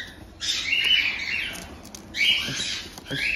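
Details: Month-old cockatiel chicks at a breeder in Tokachi, Hokkaido, giving their harsh, raspy 'jaa-jaa' begging cries, found only in the chick period: two noisy bursts about two seconds apart, with quiet room sounds between.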